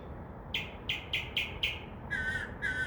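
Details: Mockingbird singing at night from a tree outside a window, a bird that returned for under a week from midnight, imitating a crow's caw: five short harsh caw-like notes about a third of a second apart, then two longer raspy notes, over steady background hiss.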